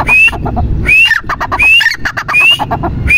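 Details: Grey francolin calling: a clear rising whistled note followed by a quick rattling phrase, repeated about every 0.7 seconds over rough low background noise.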